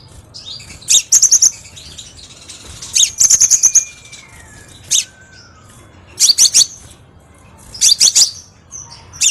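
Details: Crimson sunbird song used as a lure and training sound for cage birds: short bursts of very high, rapid, tinkling notes every two seconds or so, with a thin descending whistle in between.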